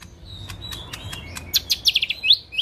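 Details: Lesser green leafbird (cucak ijo mini) singing hard: a run of sharp ticking notes, then a rapid string of bright, bubbling chirps and two upward-swept whistles at the end.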